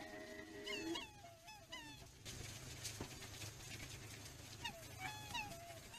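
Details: Black swans give short, bugling whistled calls that bend up and down, several in a loose series, over a steady low rumble of background noise.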